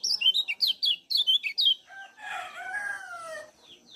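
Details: Kecial kuning from Lombok giving a quick run of high, sharp 'ciak' chirps meant to stimulate other birds, followed by a harsher, noisier lower-pitched passage.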